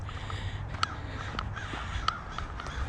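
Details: On 8 May 2021, in spring at Springbrook Nature Center, on a paved trail, distant crows give faint, harsh caws spaced roughly every half second to second over a steady low outdoor rumble.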